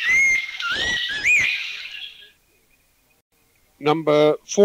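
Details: Thai recording of an Abbott's Babbler: a few rising whistled notes in the first two seconds, then silence, followed by a man's voice speaking.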